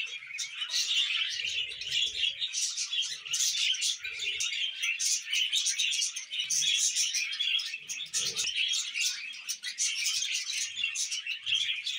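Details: Steady budgie warbling for twelve seconds: overlapping buzzy chirps, clicks and high squeaks with no pause, plus occasional soft low knocks in the background.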